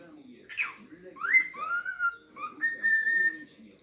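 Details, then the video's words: Pet cockatiel, two years old and able to talk and whistle, gives a clear whistled phrase: a sharp rising note, then a level falling tone, a short upturn and a long steady note, with faint room noise. "talking parrot nymph (gadająca papuga nimfa)"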